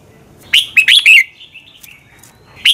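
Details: Red-whiskered bulbul in contest song for training: one rapid phrase of four ringing, slurred whistles, followed by softer trailing notes and the start of another phrase.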